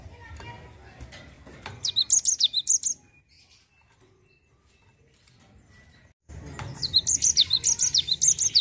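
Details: Java sparrow ngerol song used to lure untrained birds to sing: scattered faint chirps, a rapid run of high descending notes, near silence for three seconds, then another long, fast burst of bright falling notes.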